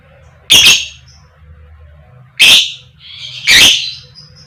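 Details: Female lovebird giving its koek koek call, meant to provoke other lovebirds into singing: three loud, harsh, broadband squawks spaced one to two seconds apart over a low background hum.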